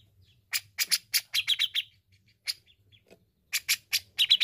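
A grey-cheeked bulbul sings bursts of rapid, high, scratchy chirps and notes, in two bouts separated by a short pause; a faint low hum underlies it.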